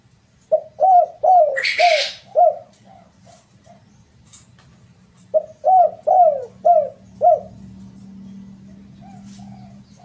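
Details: Spotted dove song played as a lure to spur birds into steady singing: two runs of five deep, bending coos about half a second apart, a brief noisy rustle, softer coos between, and a low hum underneath.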